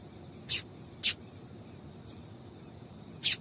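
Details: Female double-collared seedeater calling to stimulate and warm up a male: three short, sharp, high chips spaced irregularly, with a fainter fourth note and a quiet background hiss between them.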